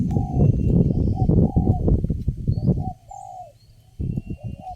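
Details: Spotted dove, the only bird calling at a trapping site and responding strongly to a lure bird: a few drawn-out, level coos, heavily masked by loud low rumbling noise.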